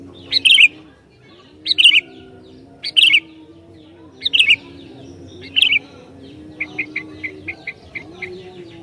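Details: Sooty-headed bulbul provoking other bulbuls: five bubbly whistled phrases about a second apart, then a fast run of short, even, clipped notes, all over a faint low hum.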